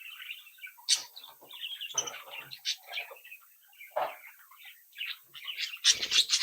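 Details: Captive budgerigar chicks from a home brood twitter and warble in rapid irregular chirps, interrupted by several sharp knocks or scratches and a loud scratchy burst at the end.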